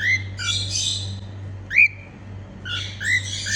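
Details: A female pet cockatiel sings happily, mixing scratchy chattering bursts with a clear upswept whistle in the middle, low hum steady behind.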